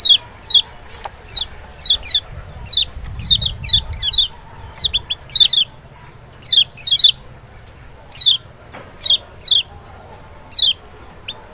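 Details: Lemon-bellied white-eye from Lombok or Sumbawa, played to draw a response from a bird unwilling to sing: a steady run of clear falling whistles, singles and doubles, roughly twenty notes, with faint low background noise.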